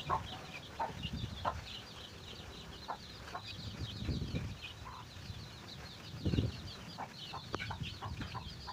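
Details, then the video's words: Chicken finding food for its chicks: a constant chorus of high, downslurred chick peeps, with a few short hen clucks and low scratching or rustling thumps underneath. "Chicken find a food for their baby"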